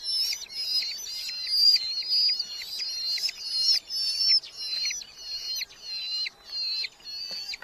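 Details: High, trilling, insistent screeches from Red-footed falcon young in a Hungarian colony nest box, July 2025, repeated in rapid pulses roughly twice a second for the whole stretch, clean background.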